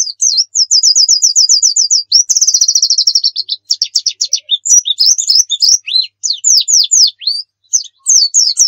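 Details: Javan white-eye of the Pacitan dakun type in full, lively song meant for tutoring other birds: a run of evenly repeated high whistled notes, then a dense buzzy trill and jumpy, slurred phrases.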